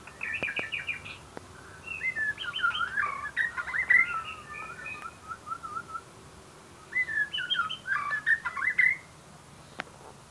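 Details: White-rumped shama delivering two bursts of rich whistled song, fluty notes mixed with quick chattering phrases, separated by a few seconds of near quiet.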